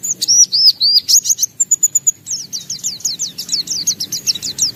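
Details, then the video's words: Gacor-style white-eye song with beak opened wide, showing off its range of imitated phrases: high whistled notes in a rapid run, a brief steady whistle, then fast repeated descending slurred chips at about three per second. "Suara Burung Pleci Gacor Buka Paruh Bongkar Isian"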